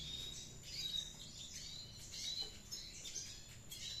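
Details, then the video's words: Active ngriwik song of a red siskin: a rapid, high-pitched scratchy twittering with piercing whistled notes around one and two seconds in, continuing almost without a break over faint low background noise. "Redsiskin Gundul Clasic aktive ngriwik"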